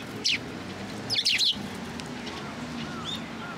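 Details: Sparrow visiting a post for food at a Tenmangu shrine on 9 November 2022: one sharp falling chirp, then a quick burst of three tumbling chirps, with faint whistles from other birds in the background.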